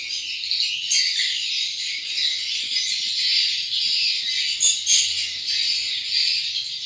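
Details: Newly hatched swiftlet chicks: a dense, unbroken chorus of high, scratchy chattering with no gaps, and a few slightly louder chirps rising above it near the end.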